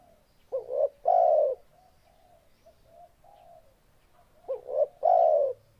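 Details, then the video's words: Spotted dove song, two phrases each made of a quick wavering rising note and a long steady mellow coo, with soft low coos in the gap between them. "Suara Burung Tekukur"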